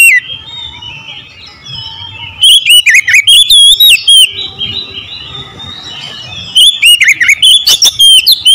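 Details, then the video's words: Oriental magpie-robin song in two loud bursts of varied whistled phrases, with clear sliding notes and sharp clicks, separated by a quieter stretch of softer warbling. "PASTI CEPAT GACOR BUKA EKOR"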